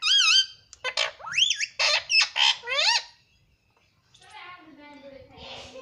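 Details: Pet parrot that talks, saying "mummy" and "papa", indoors: a rapid string of loud, tonal, wavering syllables for about three seconds, then a short silence and a softer, rough, buzzing call.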